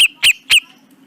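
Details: Grey-cheeked bulbul tutor recording for training cage birds: three sharp, clipped chirps in quick succession, each a short bright note with a downward slur, followed by quiet.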